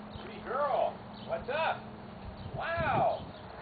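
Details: A captive-bred, hand-raised Hyacinth macaw, which squawks for attention when friendly people pass, gives three rough, rising-and-falling squawks about a second apart, the last one longest, over a low background hum.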